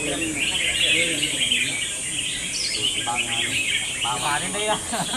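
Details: Red-whiskered bulbuls in round eight of a singing contest. They give dense, bright, chattering warbles and quick up-and-down notes. Voices of people talk underneath, and a steady high hiss runs throughout.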